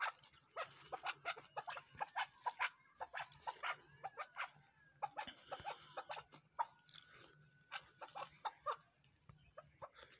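Chukar partridges giving dry, clucking chuk notes in quick uneven bursts, overlapping throughout, with a faint steady whistle-like tone in the background.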